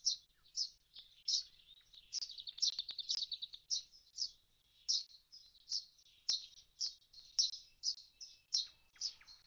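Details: Common starling calling at an empty nest box after the young have flown; steady series of high, sharp chirps with a quick rattling burst early on.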